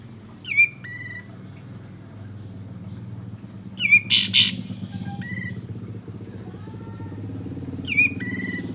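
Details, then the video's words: Bulbul lure recording to prompt singing and tail fanning: short whistles that drop quickly and level off, repeated three times several seconds apart, plus one harsh double burst, with a motorbike rumbling underneath. "Pancingan Kapas Tembak Agar Bunyi Gacor dan Buka Ekor Tercepat"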